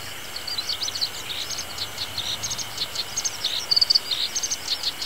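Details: Black-browed reed warbler singing in a reedbed as summer sets in, a rapid, high-pitched, scratchy chatter of short notes poured out continuously, with a skylark also singing and the engine of nearby grass cutting in the background.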